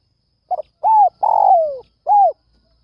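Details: Morning lure call of a spotted dove toward other doves: short broken note, rounded coo, long rough downward-sliding coo and a closing arched coo, in a quiet setting.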